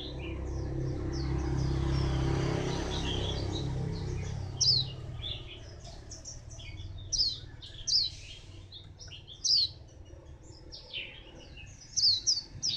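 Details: White-eye at Phù Yên, 02/10/2015: after a passing vehicle rumble, sharp high downslurred chirps and brief twitters come in separate bursts every second or two.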